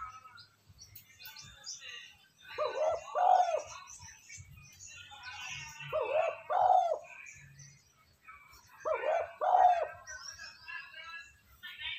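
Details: Spotted dove cooing, a lure recording for decoy birds. Three low two-part coo phrases come about every three seconds amid dense high twittering of other birds and soft background noise.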